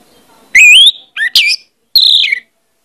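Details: Orange-headed thrush song played as a lure to get birds singing: a long, rising whistle, then a pair of sharp slurred notes and a final wavering, descending whistle, all loud and bright.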